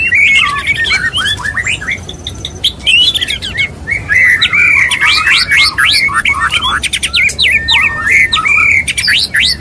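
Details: A male white-rumped shama courts a female in a long, lively song. Rapid rising whistles and chirps pour out in bursts, with clicks, a sustained high note, and steep upward sweeps repeated toward the end.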